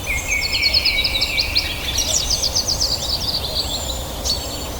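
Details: Lively songbird sequence of rapid high chirps and sharp descending trills, several overlapping phrases in the first half, with a lone high note near the end, over steady low background rumble and hiss.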